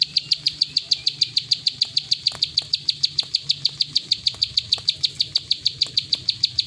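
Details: Rapid, regular ticking song of a plain prinia in the continuous 'klik' style, sharp high notes repeating about five times per second over faint background noise.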